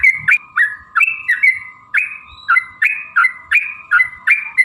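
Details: Sooty-headed bulbul (trucukan) calling to provoke other birds to sing: bubbly whistled phrases, each a sharp upslur into a level note, repeated roughly every half second in a steady rolling series, with a faint steady hum underneath.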